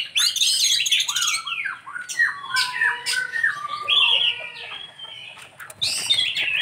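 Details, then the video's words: Kacer, or Oriental magpie-robin, delivering a lavish 'isian' song: rapid mix of bright whistles, downslurred notes and buzzy chatter, a steady loud run of varied phrases, then a brief pause before harsh notes resume. "Ini Die Burung Kacer Isian nya Super mewah"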